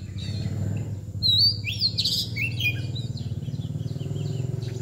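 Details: Kacer, or Oriental magpie-robin, in mbagong and nangkur display gives quick upslurred whistles and squeaky twitters over a loud droning low hum throughout.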